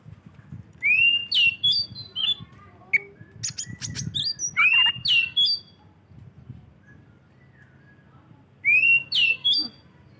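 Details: White-rumped shama song used as a lure for other shamas: loud rising whistles with ringing overtones and short chattering notes, in bursts separated by pauses, over a faint low background hum.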